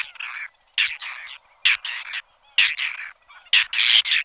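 Whiskered tern giving harsh, rasping calls, often paired, repeated roughly every second, dry and grating with no other sounds.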